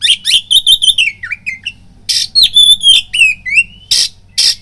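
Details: Fight-provoking lure song of an oriental magpie-robin: rapid run of bright whistled notes, then loud harsh churrs alternating with rising and falling whistles, over a low steady hum.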